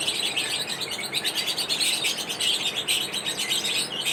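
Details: Lovebird; chirping; courtship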